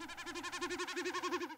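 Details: Male Common Snipe drumming in Shetland around dusk in its courtship or warning display flight: a hollow, bleating tremolo of about ten quick throbbing pulses a second, made by the two outer tail feathers as the bird dives.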